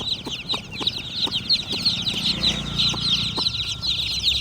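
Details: Chicks give dense, high-pitched chirping: overlapping short peeps run steadily throughout, with occasional knocks and a soft low hum.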